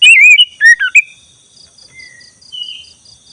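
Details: Black-breasted Oriental magpie-robin lure song for training caged birds: a burst of loud, looping whistled notes in the first second, then faint soft whistles over a steady pulsed background tone.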